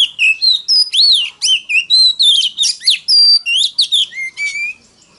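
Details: Very loud Oriental magpie-robin song in forest-voice style, played to challenge wild rivals: fast string of ringing whistles, slurred sweeps and clipped chirps, dense and varied, ending in a lower drawn-out whistle.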